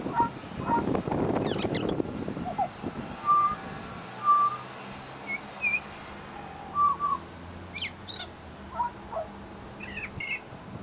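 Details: Pied butcherbird at a bird sanctuary copying other birds' calls: loud rustling at the start, then a string of short clear whistles and a few higher sharp chirps at uneven intervals.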